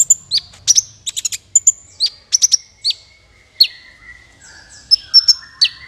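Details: Sunbird trapping-lure calls: crisp, high tweets and short whistles, some in doubled or tripled bursts, with a few longer descending notes and a faint low rumble.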